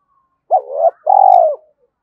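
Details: Spotted dove cooing, a recording used to stir up decoy birds: a short mellow note followed by a longer, steady, slightly falling low coo, with no other sounds.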